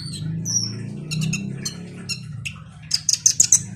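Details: Van Hasselt's sunbird (kolibri ninja) singing as a lure for a reluctant bird: scattered squeaky high notes over a low rumbling hum, ending in a quick burst of five sharp, piercing chips.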